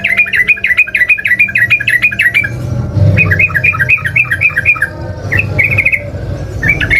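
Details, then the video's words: Lure song of a Yellow-vented bulbul for prompting caged bulbuls to sing; two quick chattering runs of bubbly, bouncing notes, then a short rattling trill, over low background hum. "pancingan burung trucukan"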